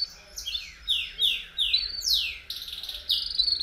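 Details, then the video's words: Belgian canary song offered to warm up other canaries: a series of bright descending sweeps and chirps, spaced irregularly about every half second, ending in a denser buzzy high trill. "CANTO PARA ESQUENTAR CANÁRIO BELGA RÁPIDO!!!"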